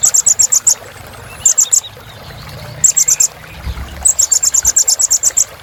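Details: High sunbird filler song for exciting other birds: several bursts of quick, sharp, very high chips, the last burst longest, separated by quiet gaps over soft background hiss.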